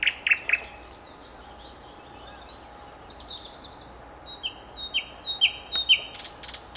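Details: Nightingale song with varied phrasing: a quick burst of sharp notes, then soft warbled fragments. Four upslurred whistles repeated at roughly half-second intervals follow, ending in buzzy high notes.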